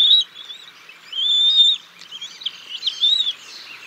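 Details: Bald eagles at the Decorah North nest on 6 May 2022, the male bringing a fish and feeding the chicks until the female arrives to take over. Thin, high whistled notes, including a long drawn note midway, followed by rapid chittering.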